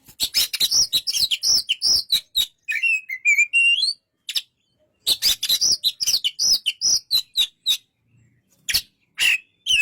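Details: Quick-fire chips and loud whistled loops from an Oriental magpie-robin, a softer twittering passage, a long pause, then the rapid phrases resume with a final sharp burst.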